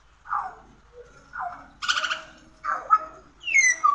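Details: Pied butcherbird phrases: rounded fluty notes alternate with a harsher, rasping burst, ending in a bright, falling whistle. Four separate notes come at roughly one-second intervals.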